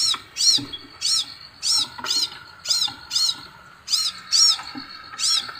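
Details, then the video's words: Crimson sunbird song that reportedly sets other birds calling. A steady series of sharp, high, arched chips, roughly two per second, each one bright and brief, over a quiet low hum. "SEKALI PUTAR BURUNG LAIN IKUT NYAUUTT|| BURUNG SEPAHRAJA"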